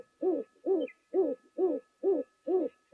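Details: Rock pigeon, probably on a lodge roof at a waterhole, gives deep, soft cooing hoots, about two per second in a steady run, with a faint steady electrical hum behind.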